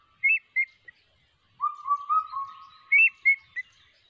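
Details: In ATR forest, a crested hawk-eagle chick calls. Brief higher chirps at the start lead into a drawn-out series of level whistles. A further pair of sharp chirps follows at the end, over a quiet background.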